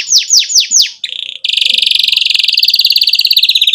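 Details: Canary song for teaching young canaries: four slurred descending whistles, a short buzzy burst, then a long rapid rolling trill continuing to the end.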